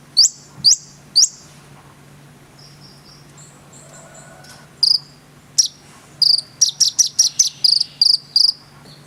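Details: Konin in full song: a few sharp, high downslurred notes, then soft, thin whistles, then a busy cluster of piercing chips and short trills toward the end.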